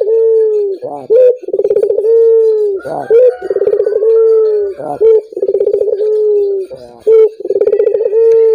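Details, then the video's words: Collared dove (puter) calling, used to prompt other doves to call eagerly; long, low, pulsing coos lasting over a second each, separated by short rising slurred notes, repeated steadily through the recording. "Suara burung puter ini membuat puter anda ikut gacor"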